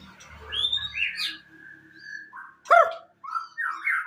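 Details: Song of a moulting white-rumped shama with a 22 cm tail: high whistles and warbles, a steady mid-pitched held note, a sudden harsh broadband note, then rising whistled phrases; low rumble early on.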